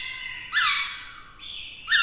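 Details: Caged black-throated laughingthrush singing to provoke rivals with a female present; sharp bright notes break in abruptly, followed by a lower sustained tone and another sudden loud burst.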